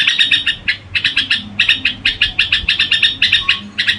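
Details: Gù-style song of a red-whiskered bulbul: short clusters of fast, scratchy chirps repeated in even groups, each cluster separated by a tiny gap, with a low background hum.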